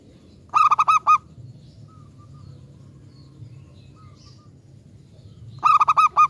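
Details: Local zebra dove singing, used as a lure for other doves: a rapid burst of five short ringing coo notes, a long pause with faint distant chirps, then another matching burst about five seconds later.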